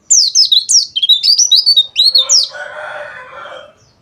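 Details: Energetic white-eye twitter in the dakbal style, intended to excite rival birds: a fast string of high, squeaky, slurred notes, then a lower rasping hiss fading out.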